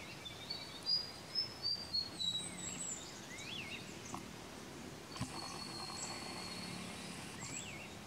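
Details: Chestnut-crowned warbler recorded in Neora Valley, West Bengal, India, in March 2019: thin, very high sharp notes repeated about five times over the first two and a half seconds, then a steady high buzzing hum, with a quiet forest background.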